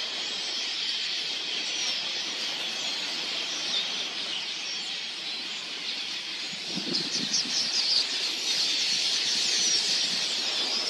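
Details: Enormous swarm of red-billed queleas arriving to drink at a watering hole: an unbroken wall of high, hissing chatter from massed birds, with a burst of lower whirring, likely wings, near the seventh second.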